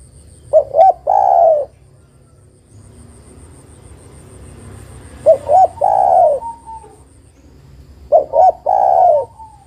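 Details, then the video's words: Calling female spotted dove luring a male to sing: three repeated phrases roughly every four seconds, each two quick coos and a longer level coo, with quiet hiss between. "TEKUKUR BETINA MEMANGGIL JANTAN ini PALING PANDAI membuat TEKUKUR JANTAN bunyi"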